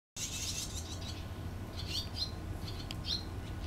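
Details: Barn swallows at the nest during chick-rearing, 6 June 2013: scattered high, thin chirps and short twittering notes over a steady low rumble of background noise.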